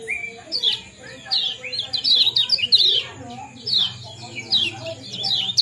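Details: Lemon-bellied white-eye (kecial kuning) ciak-ciak and jos calls to stimulate breeding: irregular high chirps and short twittering clusters, one clearer whistled note at the start, with a faint low hum.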